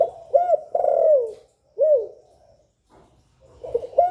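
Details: Spotted dove giving the Vietnamese calling and cooing patterns used to spur other doves: a hooked note and long falling coo, a single separate curved coo, then the next phrase starting.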